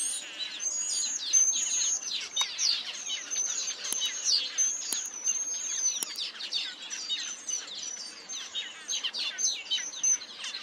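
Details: Taveta golden weavers (Ploceus castaneiceps), many birds calling over one another in a dense, continuous twitter of high, buzzy, sweeping notes with no pauses.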